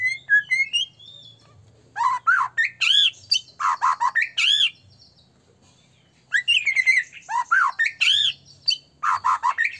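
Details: Agitated-sounding white-rumped shama song used to lure other shamas into singing: high whistled notes, then loud bursts of harsh, arching squawky phrases, a long pause, and another loud burst of similar notes.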